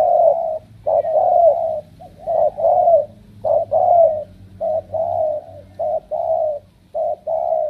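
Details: Strong-cooing kept spotted dove repeats hollow, even-pitched coo phrases, each a quick note followed by a longer held one, roughly once per second, with a soft low rumble in the background.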